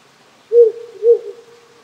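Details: Wary wild owl calling irregularly at night from a small hill near a rural Japanese home. It gives a pair of mellow, low hoots, the first louder, spaced half a second apart, with a creek murmuring in the background.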